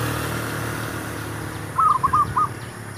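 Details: Zebra dove used in luring wild doves for trapping gives one short phrase of four quick, bright cooing notes, set against engine rumble and faint insect ticking.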